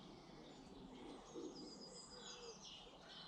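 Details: Several British garden birds sing at once: overlapping high trills and slurred whistled notes fill the clip, with faint lower warbles and constant background hiss.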